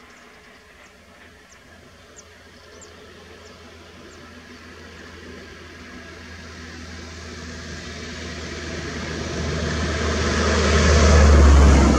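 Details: A low vehicle or train rumble swells steadily louder, with no clear animal call.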